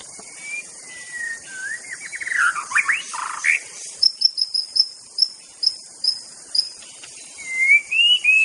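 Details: White-rumped shama (murai batu) in the wild, with clear whistled notes, a descending cascade of rich slurred phrases, then a run of short sharp high notes repeated about twice a second, ending in rising whistles over steady insect hiss.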